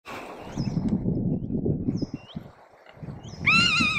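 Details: Rough-legged buzzard (Buteo lagopus) alarming in Abisko in July 2023, with thin, high, down-slurred whistles, then a loud, strained mewing scream at the end, over steady wind rumble.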